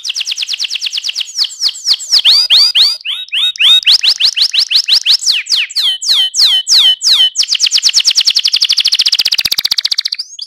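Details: AF canary rolling: loud fast trills alternate with phrases of sharp downswept notes, changing speed every second or two, finishing in a dense, continuous high trill.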